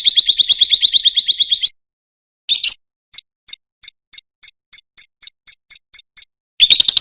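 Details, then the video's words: Lovebird training recording meant to prompt a response: a long rapid buzzy trill, then a gap, a short squawk, and a steady series of sharp high chips about every quarter second, closing with another harsh trill. "masteran burung lovebird 5 detik nyaut"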